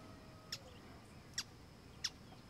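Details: Brazilian teal (Amazonetta brasiliensis) on a stream gives three short, sharp, high whistled notes, unevenly spaced about a second apart, over a low steady rush of flowing water.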